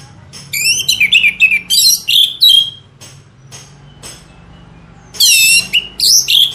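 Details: Orange-headed thrush singing on a lure track used to make birds sing: fast, varied runs of slurred whistles and chirps, a pause, then another loud burst of high, twisting notes.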